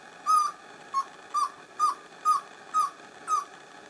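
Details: Peruvian endemic pale-billed antpitta, recorded at San Lorenzo in northern Peru's humid montane forest. A steady run of seven short hooted notes, about two per second, each slightly down-slurred, with soft clicks.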